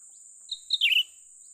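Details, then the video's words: A young cucak ranting bulbul, recorded while being lured for trapping, gives a single brief call: a high note followed by a louder, slurred, descending burble, over a constant high-pitched hiss. "memikat burung cucak ranting muda mantap"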